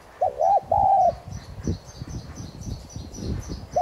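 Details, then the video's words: Caged spotted dove of the tigrina subspecies calling in thúc gù style as a decoy to get other doves singing; one clear three-part coo, two short notes and a drawn-out slurred one, then rustling and a faint start of another. "Chim cu gáy THÚC GÙ Giọng CỰC HAY kích bổi"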